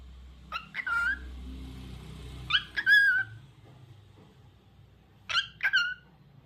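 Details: A lutino cockatiel calls in three spaced bursts: sharp upward chirps sliding into bright, falling harmonic whistles, with quiet room rumble between them.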